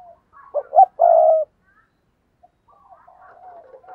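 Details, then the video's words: Decoy spotted dove cooing to lure: soft lead-in, two quick low hoots and a sustained deeper coo, followed by quiet wavering faint notes. "tiếng chim cu gáy mồi chuẩn cực hay thúc sung"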